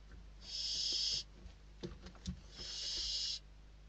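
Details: Barn owl chicks at a nest in Spain contesting a delivered bird; two softer, more distant rasping hisses with a gap of about a second, small knocks and shuffling in between.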